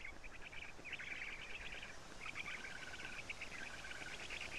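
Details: Black stork chicks in a nest in Estonia on a June 2017 morning as a parent arrives with lampreys; two long bursts of rapid chattering calls, split by a short lull, over steady background hiss.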